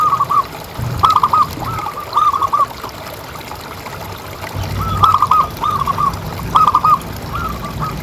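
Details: Local zebra dove with a big voice, played as a calling prompt for other pet doves. Repeated clusters of three or four quick, warbling coos, loud then fading, separated by short pauses, with a murmuring background hiss.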